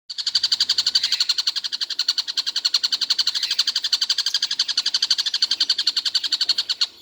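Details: Collared kingfisher, said to call all day without stopping, giving a long unbroken chatter of sharp, even notes at about four per second, steady throughout with a faint low hum behind.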